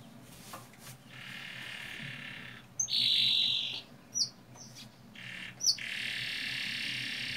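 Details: Canary lure song meant to get young canaries singing: buzzy sustained trills broken by sharp rising whistles, over a low background hum.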